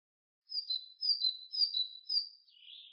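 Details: Great tit (Parus major) gives four bright two-note whistled phrases, each high note stepping down to a lower one, followed by a softer, lower buzzy note at the end; background otherwise silent.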